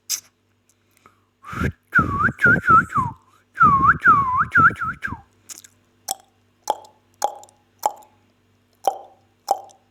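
A ringneck parrot gives a run of looping, whistled, speech-like phrases, then a series of soft tonal clicks or plops about twice a second.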